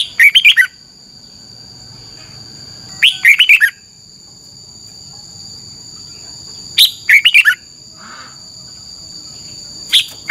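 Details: Red-whiskered bulbul from Thailand in 'phleng boen' double-song style for phrase-count training: phrases of four to five quick, falling, chirpy notes about every four seconds, over a constant high electronic-like tone.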